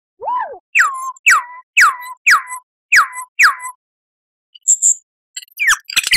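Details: Lyrebird song used as a training recording for cage birds to copy: a low arched whistle, then six loud, clear whistles, each sliding steeply downward, repeated about every half second, followed by scattered high chips and sweeping notes.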